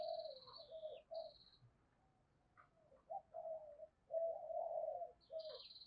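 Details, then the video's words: Decoy spotted dove cooing to bring in wild doves: repeated low, hollow coo phrases of varying length, with another bird's high, thin, drawn-out whistles above and faint background hiss. "Chim Cu Mồi Thúc Và Gáy Gọi Bổi"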